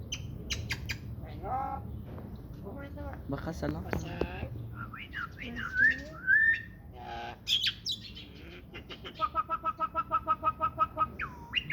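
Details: Talking myna giving a varied string of squawks, whistled rising and falling slurs and clicks, ending in a fast even series of rapid repeated notes and a final rising whistle, with low background rumble.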